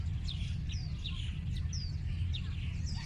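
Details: Birds giving scattered high chirps, several quick upward-sliding whistled notes spaced through the moment, over a constant low droning hum.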